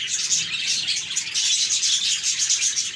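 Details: Budgies chirping happily together, a thick stream of quick twitters and short bright whistles overlapping continuously.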